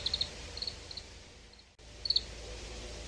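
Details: Oriental greenfinch, reference library recording: short clusters of sharp, high twittering notes, two or three together, spaced irregularly across the clip with a brief break in the middle, above faint background hiss.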